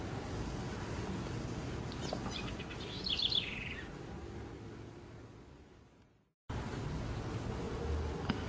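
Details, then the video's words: A House Wren, a small dark brown bird about 12 cm long including tail, gives a brief, rapid burst of high chattering notes that tumble downward, over steady low rumbling background noise. "O canto da pequena Curruíra"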